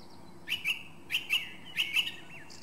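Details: Turdus philomelos, the song thrush, delivering one crisp two-part whistled phrase three times in a row, roughly every 0.6 seconds, with a faint thin note before and after.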